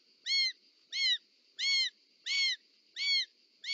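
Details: Short-toed snake eagle, a parent arriving with a snake delivery, in Parc Natural dels Ports, Catalonia, 18 July 2024 (summer), giving six clear, slightly arched whistled notes about every two-thirds of a second over steady high insect hiss.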